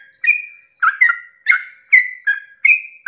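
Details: Dawn 'ropel panjang' song of a yellow-vented bulbul, meant to stir rival bulbuls into singing: chattering, gurgling phrases that end in bright level whistles, repeated roughly every 0.6 seconds, with no other sounds.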